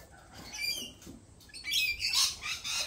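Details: Harsh, high-pitched lorikeet screeches, softer at first and then building into loud, rasping bursts in the final second.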